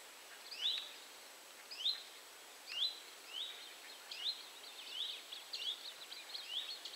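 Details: Great crested grebe with its family on a reservoir at Rawa Mazowiecka, Poland, 31 July 2017: thin, high piping notes that rise and fall, about one each second, quickening near the end, over a steady background hiss.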